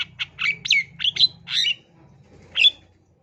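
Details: Long-tailed shrike lure song used to get young birds singing: a quick burst of harsh, scratchy notes and short slurred whistles, a pause of about a second, then one louder squeaky note, with a faint low hum throughout.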